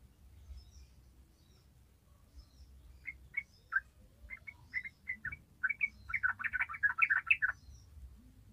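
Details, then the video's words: Yellow-vented bulbul song used as a lure for training other bulbuls: after quiet start, short bubbly notes at intervals building into a fast, dense run of liquid chattering phrases near the end. "ORIGINAL SOUND YELLOW VENTED BULBUL"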